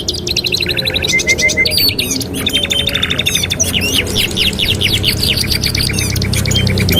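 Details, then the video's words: Canary song used as a master recording for training canaries: dense, rapid trills of sharp high notes, buzzy rattling runs and a brief series of flat whistles, phrases overlapping continuously over a low steady hum. "TERAPI MASTERAN KENARI 2 IN 1 | CANARY SINGING"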